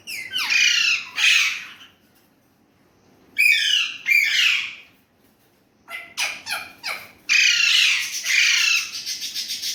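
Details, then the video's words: Domestic Indian ringneck parrot talking in Urdu/Hindi: loud, grating phrases in clusters, with a long silent gap, then rapid clipped notes and a sustained harsh phrase. "Indian ringneck parrot amazing talking parrot"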